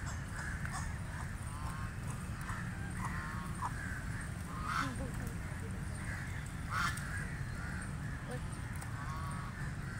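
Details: Call duck feeding in water, giving short nasal quacks in scattered bursts, a few double notes, over a steady low rumble of wind or water noise.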